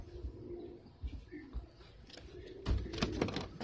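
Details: A short, low wavering coo from a Filo pigeon opens, followed by scattered taps and a louder burst of clattering, fluttering noise near the end.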